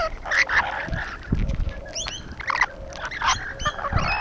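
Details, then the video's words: Short grating squawks and thin rising squeaks from rainbow lorikeets gathered on a wall, calling almost continuously with overlapping voices and occasional low knocking sounds. "Rainbow Lorikeets on the wall 2"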